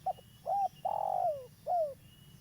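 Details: Lively local spotted dove kept as a lure for trapping gives a single soft-toned coo phrase: short note, looping note, long trembling drawn note gliding down, then a falling coo; faint thin whistle in the background.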